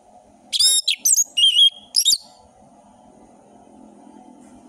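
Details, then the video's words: Orange-headed thrush song rich in variation: a rasping note, quick chirps and a wavering whistle, then a closing twitter, followed by a steady low hum with faint background noise. "Anis merah gacor ngeplong full variasi bagus untuk masteran burung anis merah trotol"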